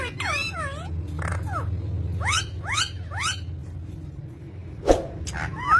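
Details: Green ringneck parrot giving a loose series of harsh curved calls, some sweeping up and some dropping, about one each second. Pauses fall between the calls, with a low droning hum underneath and a sharp click near the end.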